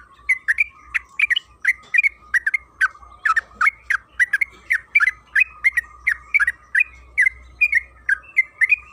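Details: Lively chatter from a yellow-vented bulbul (trucukan kebo), a lure recording meant to set other bulbuls singing: a long fast run of short, bright, slurred notes, roughly two each second, with a constant thin tone and low rumble beneath.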